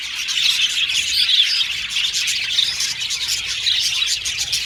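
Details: Many budgerigars in an aviary keep up busy high-pitched chatter, quick chirps and scratchy warbles overlapping into one unbroken wash of sound.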